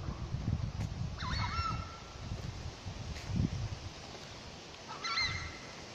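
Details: In the Chaco of Santa Cruz, a Southern screamer (tapacare or chajá) gives a loud, harmonic honk, then after roughly four seconds a second similar honk, with continuous low rumbling noise throughout.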